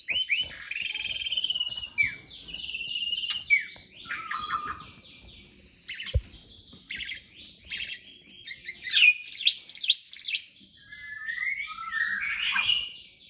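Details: A male white-rumped shama courting a female, singing a rich, varied song of clear whistles, slurred rising and falling phrases and rapid repeated notes, broken by sharp scratchy bursts and short chattering runs.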